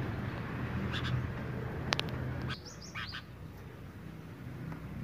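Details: Sooty-headed bulbul pair, male and female in mating condition, uttering a few high, upward-sweeping whistled notes in a short cluster after some clicks, over a constant low droning background.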